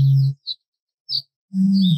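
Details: In Somerset, UK, in spring, a male Eurasian bittern gives its territorial boom, deep and hollow, said to carry up to three miles, about a second and a half apart, with a soft low gulp between and faint high chirps from other birds.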